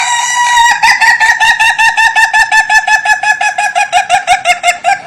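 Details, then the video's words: Ayam Ketawa, a rare Indonesian laughing chicken, giving its unusual crow, said to sound like laughter: one long rolling call of rapid staccato pulses, about five per second, holding a steady pitch and dipping slightly over five seconds. "You Won’t Believe This Chicken’s Funny Sound"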